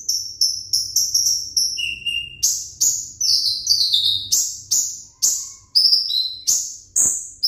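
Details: Sunbird kept in a cage, described as keen for the contest stand, delivering rapid high chirps that quickly give way to sharp, sweeping downslurred notes repeated roughly twice a second, loud and clear against a quiet background.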